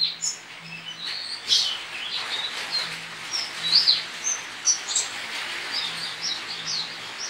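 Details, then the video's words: Caged white-eye entered in an online singing competition from Pontianak, Indonesia, pours out an extended, rambling series of high chirps and twitters, with a low steady hum underneath. "LOMBA PLECI ONLINE 23 - Aksi Pleci"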